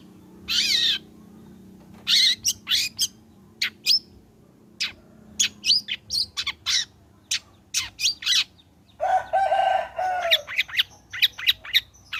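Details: Cendet, or long-tailed shrike, in lively song used to coax another shrike into singing: scattered sharp high chips and short slurred notes, a rasping nasal phrase near the end, then a final flurry of quick notes.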